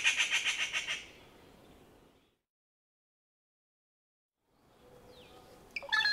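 Rufous Treepie giving a rapid burst of harsh, rattling notes, about eight in a second, then silence before a few sharper squawks return.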